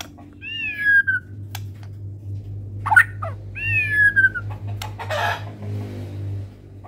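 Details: White-rumped shama of the Medan type, said to be singing in full voice with a complete repertoire; two clear whistled phrases, each sliding downward over about a second, separated by sharp clicks, a brief broadband rush and a steady low hum.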